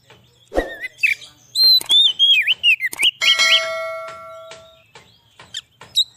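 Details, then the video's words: Oriental magpie-robin song intended as a lure: a thud, then a rapid sequence of pure whistled notes and slurs, followed by scattered sharp clicks and chips, with a sustained ringing tone in between. "suara burung kacer cocok buat pikat burung kacer di huta liat dan cocok buat menaikan emosi kacer"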